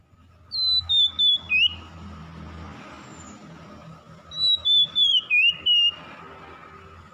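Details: Song of an oriental magpie-robin, used as therapy to make a stressed, silent bird start singing: two phrases of pure, descending whistled notes in quick pulsed runs, about four seconds apart, over a steady rumble of passing traffic.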